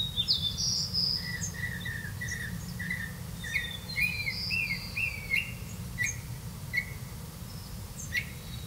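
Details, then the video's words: Black-bellied malkoha caring for young in the nest: a busy stream of short, slurred squeaky notes, a steady lower series under higher thin whistles, with soft rumbling background noise. "Black-bellied malkoha Birds, Caring for young babies in the nest"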